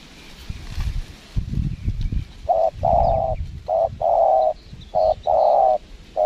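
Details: Spotted dove call from a windy trapping location in Lombok, Indonesia, with a lure bird present: low wind rumble and handling noise fill the opening seconds, then short-long cooing phrases repeat steadily to the end.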